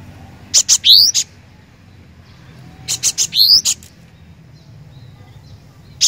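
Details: Cinereous tit singing in lively form. Phrases of three or four high chips around a short rising whistle come about every two and a half seconds. Soft low hum underneath.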